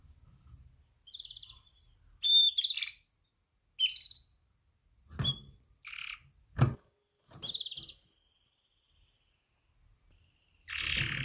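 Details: Female canary giving a mating call to attract males: scattered short, bright chirps and slurred notes, some with quick upward sweeps, separated by silences, with a few soft knocking clicks in between.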